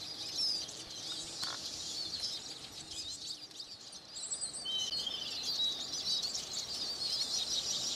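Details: Eurasian siskin song: lively high twitters and chirps, a short buzzy trill, then a strained descending wheeze before the chatter continues.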